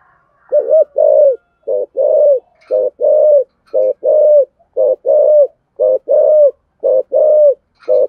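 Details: Spotted dove kept as a decoy, calling thúc gù style with a giọng thổ voice: a steady series of low coos in pairs, a clipped note followed by a longer one, repeated about once a second.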